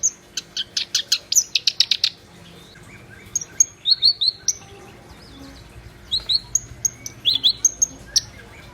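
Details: Black-browed reed warbler singing energetically (gacor): a fast burst of sharp, repeated high chips, a pause, then squeaky whistled and buzzy notes with rapid trills near the end.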